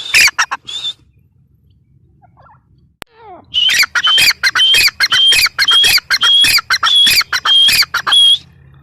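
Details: Grey francolin (teetar) gives a few raspy notes, falls quiet for about two and a half seconds with a faint click, then resumes a vigorous, rhythmic run of strident, scratchy calls at a brisk pace.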